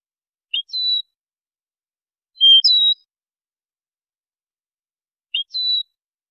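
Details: European goldfinch song made for training: three short, high phrases, each a quick upward flick into a level whistled note, spaced about two seconds apart in total quiet.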